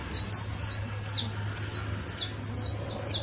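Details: Saffron finch, called canario criollo, singing buzzy high chirp clusters about twice a second in a fairly even rhythm, each burst a tight group of descending notes.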